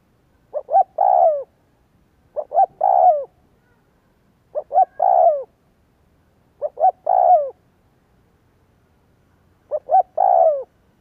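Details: Spotted dove lure call used to prompt other doves to coo: a gentle three-part coo, two short notes then a longer falling one, repeated about every two seconds, five phrases over a quiet background.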